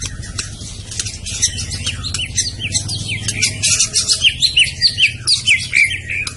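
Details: White-rumped shama, murai batu type from Medan, pouring out dense high chattering notes that settle into clearer, rhythmic upslurred whistles repeated about twice a second, over steady low hum.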